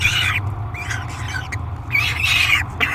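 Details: Peregrine falcon in the Great Spirit Bluff nest box during feeding, July 3, 2021; thinner, wavering screams, some arching up and down in pitch, alternating with quiet moments, over a low hum.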